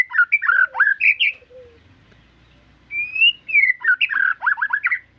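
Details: Shama singing loud varied whistles: a burst of swooping warbled notes, a pause, a long rising clear whistle, then fast descending chattering phrases.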